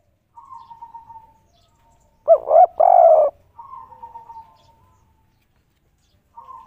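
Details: Spotted dove on roof tiles giving its 'kuk 3' coo, called melodious and rare: quick low notes then a sustained hollow coo around three seconds in, framed by a thin steady whistled tone before and after.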